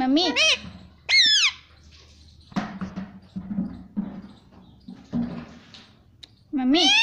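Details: Pet Indian ringneck parrot talking, mimicking 'mummy' and 'papa': loud, bending nasal syllables in bursts at the start and end, with quieter murmuring and music between.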